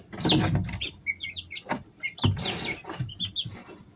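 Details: Young Easter Egger chicks aged three weeks with a few short high peeps and rising chirps scattered among rustling, scraping and a loud hissing scratch noise.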